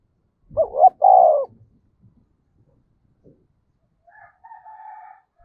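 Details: Spotted dove used as a decoy to excite wild birds: one cooing phrase of two short notes and a long mellow coo, then quiet, and a faint higher bird call near the end.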